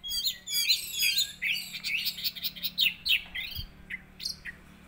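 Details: Orange-headed thrush, used as a lure to make the bird agitated and sing: a rapid, varied run of whistled and chattering phrases, sliding notes and short buzzy chirps crowded together without pause, in a quiet indoor space.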